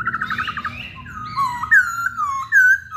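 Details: Masked laughingthrush song, used to provoke other birds to sing: a fast run of rapid repeated notes, then clear whistled phrases that slur up and down, ending in loud ringing downslurred whistles.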